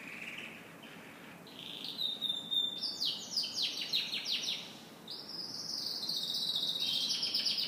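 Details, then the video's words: Singing canary in the morning, quiet opening notes, then a loud series of rhythmic descending sweeps about three per second, ending in a steady high trill. "Canary Morning Singing"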